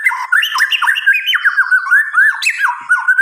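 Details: White-rumped shama singing at night, a dense, continuous stream of quick, slurred whistled notes bouncing up and down, with scratchy overtones.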